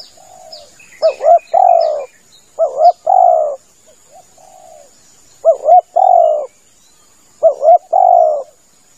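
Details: Spotted dove calling as a hunting lure. Phrases begin with a quavering double note and end in a long mellow coo, spaced about one and a half seconds apart. Softer low coos fall between them, with light high chirps early on.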